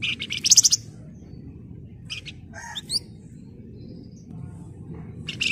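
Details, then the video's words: Flamboyan in a fast trilling, chattering style: an opening volley of shrill rapid notes, then short gaps broken by clipped chirps and a rising whistled slur, another burst at the end. "Burung Flamboyan Gacor Emosi Ngebren Rapat Nyerecet"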